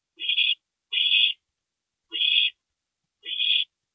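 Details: Parent visit at an owl nest, 2:40 AM, 22 April 2012; four loud, rasping hisses about a second apart, each with a faint soft click at its start, in an otherwise quiet nest.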